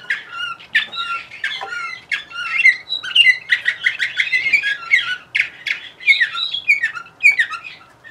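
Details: Bulgarian canary from Sofia in steady, dense song, a continuous stream of rapid chirps, rolling trills and sharp high notes with hardly any pause.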